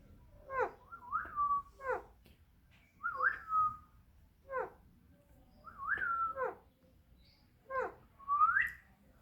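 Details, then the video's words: Male and female talking parrots kept as a couple, giving harsh clipped notes and short whistled slurs in a repeated pattern about every second, with pauses between bursts, indoors. "beautiful male and female talking parrots couple"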